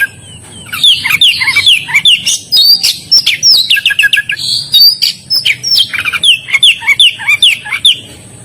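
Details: Oriental magpie-robin in full, lively song, delivering fast runs of bright whistles, quick rising and falling slurs and scratchy chirps almost without pause, and a brief steady whistle near the fourth second.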